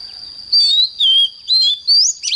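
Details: Oriental magpie-robin singing at dawn: four clear, sweet whistled notes about half a second apart, alternately falling and rising, ending in a brief scratchy chirp, with a steady thin whine throughout.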